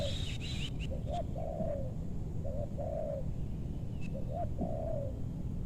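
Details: Spotted dove during bird luring in meranti forest, West Bogor, Indonesia, where loud-voiced birds are targeted; soft distant coos, short rising notes followed by a longer falling coo, repeated under steady low rumbling background noise.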